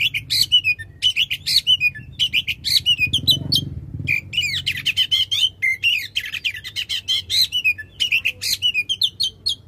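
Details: Oriental magpie-robin in loud, continuous song with long shot phrases, used to stimulate a magpie-robin that has stopped singing. Rapid sharp chirps and warbled trills run throughout over a brief low rumble.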